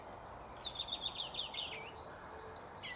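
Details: Thrush nightingale singing: a rapid series of sharp, repeated chipping notes slides into a short trill, then a pause and a higher whistled flourish, against a quiet background.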